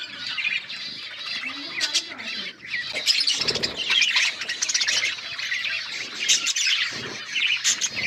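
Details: Budgerigars chattering as a flock, continuous bright warbles, chirps and harsh squawks layered over one another, with a few soft lower sounds and brief knocks.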